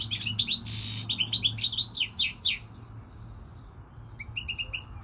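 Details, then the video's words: Goldfinch song opening with rapid twittering and a harsh buzzy burst, then a tumbling run of chirps for about two and a half seconds, followed after a pause by a few repeated thin notes; steady low hum in the background. "Singing Goldfinch, saka kusu تغريد الحسون الاروع هذا الموسم"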